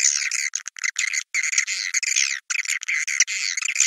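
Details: 'Naga Merah' swiftlet lure call for attracting swiftlets to nests: sustained shrill twittering chatter in long stretches, interrupted by a few sharp pauses.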